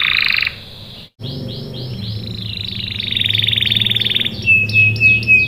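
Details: A canary sings a fast, varied song of high chirps, a buzzy rolling trill and a clear whistled note, with a low hum underneath; the song is used as a lure to make other canaries answer.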